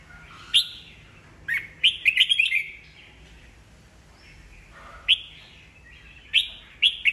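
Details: Red-whiskered bulbul, an old wild-caught cage bird with 'bọng' style song, used to stir newly caught birds into singing back. Single bright chirps open, then a rapid rolling warble. Scattered clear notes follow after a pause.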